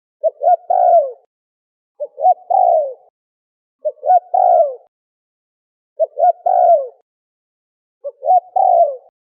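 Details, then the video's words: Malay turtle dove lure recording: slower three-part coo phrases, two quick rising notes then a longer falling coo, repeated every two seconds, five phrases, otherwise silent. "turtle dove sound effect"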